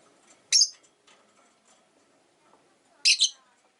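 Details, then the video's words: Caged pet rosy-faced lovebirds by a window, five birds in the household: two sharp, harsh high chirps about two and a half seconds apart, the second doubled, over faint low background hum. "Lovebird Chirping Sounds"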